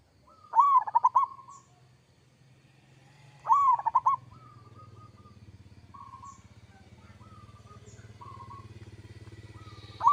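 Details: Local zebra dove singing in a loud, lively style: bubbly cooing phrases repeated about every three seconds, each a warbling burst followed by soft drawn-out coos, over a low steady hum.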